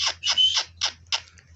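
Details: Indian ringneck parakeet, a village parrot, giving four harsh, raspy squawks in quick succession, each a broad burst with a brief whistled note in the second, over a low steady hum.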